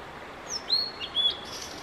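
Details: Male Blue-and-white flycatcher performing a long song session of about fifteen minutes on 5 May 2022 with photographers present: a high slurred whistle, a rich warbled note, then a clear sustained whistle, over low-level outdoor hiss.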